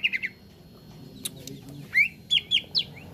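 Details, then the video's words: Green leafbird (cucak ijo) in a training recording for an untrained bird. Opens with a few quick downslurred whistles, a quieter gap with ticking clicks, then loud rising and falling whistled notes in short bursts. "TERAPI CUCAK IJO BAHAN CEPAT GACOR"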